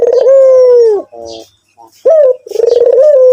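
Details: White Barbary dove, called puter putih, in active calling form: a loud low coo held for a second and slightly falling, a gap, then a rising note leading into another long pulsing coo.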